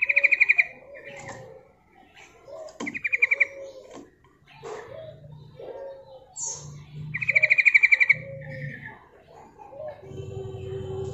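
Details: Luring call of a female yellow-vented bulbul: three quick, buzzy pulsed trills at high pitch, separated by lower warbled notes from other birds and a low droning hum.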